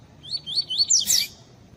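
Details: Pure tui tui double-collared seedeater with female calls for warming up males; four quick falling whistled notes repeated evenly, ending in a louder harsh burst.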